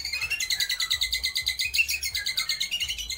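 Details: White-rumped shama imitating lovebird, kapas tembak and pijantung gunung: a steady, rapid rattle of high chattering notes, about seven per second, throughout, over a faint low hum.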